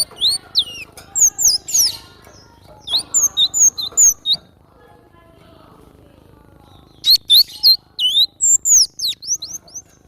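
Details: Wild cinereous tit in energetic song, giving quick runs of thin, high, down-slurred whistles, then a pause of about two seconds before another lively burst of chirpy notes.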